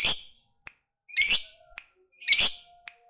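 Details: Lovebird, a fighter lovebird used to provoke rival males, gives three short harsh, buzzy chirps about one second apart, each fading quickly, with faint clicks and a soft low tone between them.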